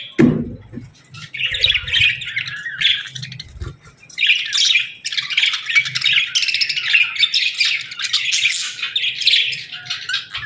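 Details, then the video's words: Pet budgerigars chirping and singing in the morning: a continuous warbling chatter of buzzy, scratchy notes, broken by a pause near four seconds, then resuming steadily, with a soft low thump at the start. "Parakeets Morning Chirping Sounds"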